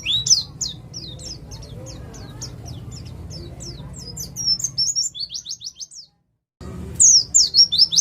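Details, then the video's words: East Javan 'ngalas' white-eye singing in the rapid 'nembak' style, a lure to set other birds singing: a fast run of high, thin, upslurred chirps that breaks off into silence, then resumes in sharp bursts over low hum. "Pleci jatim ngalas cocok untuk pancingan bunyi"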